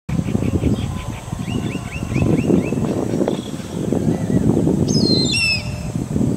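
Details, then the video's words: Indian grey hornbill giving a run of short, thin chirps, then shrill, falling squeals near the end, over a heavy low rumble of wind or distant traffic. "Indian Grey Hornbill Call"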